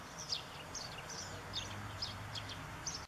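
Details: A family of European greenfinches pecking sunflower seeds on 14 September 2014, a young one being fed: thin, high chirps in a quick irregular series, about seven in three seconds, over a low rumble of distant traffic.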